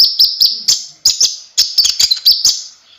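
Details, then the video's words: Gacor song of a konin, or kolibri ninja: short bursts of very high, sharp chirps and clicks, each burst dropping away into quiet before the next. "suara burung konin gacor bisa untuk masteran semua burung"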